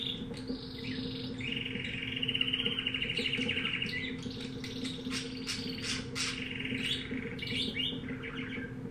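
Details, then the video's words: Caged canary bought at a pet shop, breed unknown, singing indoors: a long steady trilled phrase followed by rapid chirps and buzzy notes, over a constant low electrical hum. "Canario cantando"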